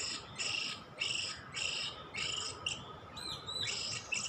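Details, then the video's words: Oriental magpie-robin (kacer) used for luring: rhythmic scratchy buzzes about every half second, ending with looping whistled notes, with a steady low hum behind. "Mikat Kacer"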